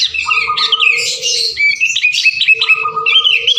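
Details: Sooty-headed bulbuls sing non-stop as a lure to start other birds singing. Bright, tumbling chirps and quick rising notes crowd together above a steady droning tone.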